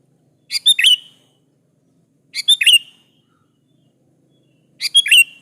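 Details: Sooty-headed bulbul giving a lively lure song to make other bulbuls reply. Three bubbly phrases of rapid ticks and a slurred whistle repeat about every two seconds in a quiet background.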